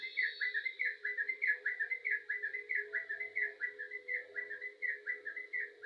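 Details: Yellow-vented bulbul in full, lively song: a continuous stream of quick bubbly whistled notes, roughly one or two per second-fraction, with a steady low hum running underneath throughout.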